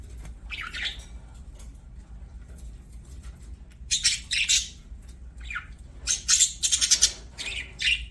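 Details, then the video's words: Budgies singing while playing: bursts of scratchy, high chattering warble come in short clusters, quiet near the start and denser in the second half, with gaps of low background hum between them. "BUDGIES SINGING PLAYING"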